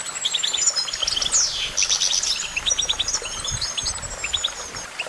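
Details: Goldfinch twittering in fast, jangling runs of high chirps, with a loud descending sweep near the start and a long thin whistle running overhead.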